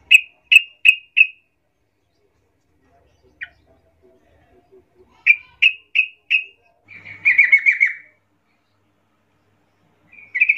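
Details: Sooty-headed bulbul calling to draw answers from other bulbuls: bursts of three to four short, bright chirps near two to three thousand cycles, a pause, another quick run of four, then a longer bubbly chatter and a final chirp.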